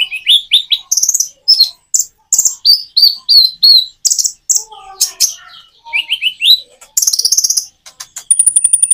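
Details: Common iora singing with natural pauses, used as a lure to prompt other birds to sing: rapid bursts of high chirps and short trills, broken by brief gaps, with a thin sustained high whistle near the end.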